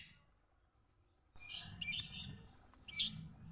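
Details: Lovebird tutor recording for early training of other birds: after a quiet start, a burst of shrill, high chirping chatter runs for under two seconds, then one more sharp squeaky note near the end.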